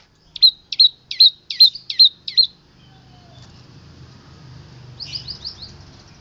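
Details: Long-tailed shrike, a local Boja bird, singing with mimicked fills: six sharp, evenly spaced high chirps in quick succession, a pause, then a brief faster burst of buzzy notes.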